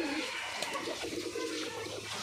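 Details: Pigeons cooing in the morning as their keeper comes to check on them: low, soft murmuring coos blend into a broad, hissy indoor background with faint clatter throughout.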